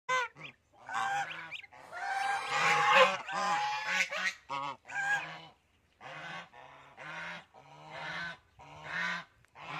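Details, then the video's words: Several geese honk loudly in nasal, brassy bursts, often overlapping, with short pauses between volleys and no other clear sounds. "geese sound"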